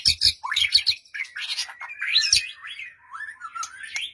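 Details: Song of a white-rumped shama, played to provoke a quiet bird into answering: harsh chattering notes open, followed by fluid rising and falling whistles with scattered clicks.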